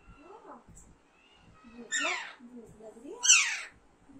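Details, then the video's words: Two grating, downward-sweeping screams from an Alexandrine parakeet, the second louder, set against low, wavy chattering tones. "Alexander parrot natural sound"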